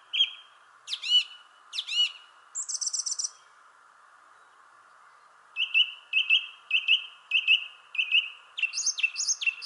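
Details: A thrush sings from a shrubbery tree in varied phrases: sharp descending whistles and a buzzy trill, a pause, then a run of repeated clear notes ending in tumbling high twitters.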